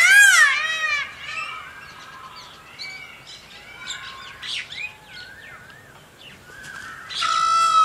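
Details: Indian peafowl with a loud, harmonic wailing cry at the start and another at the end, while softer chirps and twitters from smaller birds fill the quieter middle stretch.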